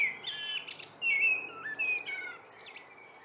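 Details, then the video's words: In the evening a common blackbird sings its good-night song, a rapid sequence of clear fluted whistles broken by sharp, high-pitched squeaks and twitters. "Abendgruß einer Amsel"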